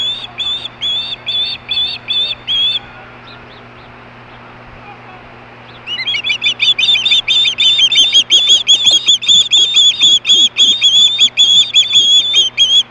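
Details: Hellgate osprey, 2014, 4:19 PM, screaming for fish: a short burst of shrill whistles, a pause of about three seconds, then a louder, faster, continuous stream of piercing chirps.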